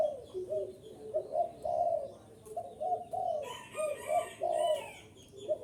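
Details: {'caption': 'Wild-bird lure using spotted dove calls: low, burry coo phrases rising and falling, with a high, scratchy chattering from another bird joining in the second half.'}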